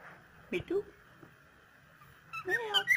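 A cockatiel gives two bursts of squeaky, sliding whistles with a speech-like warble, separated by a quiet pause.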